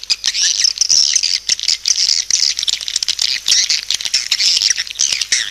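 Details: Swiftlets in a lure call, a steady high-pitched chatter of thin squeaky chirps layered over one another, punctuated throughout by rapid clicking ticks.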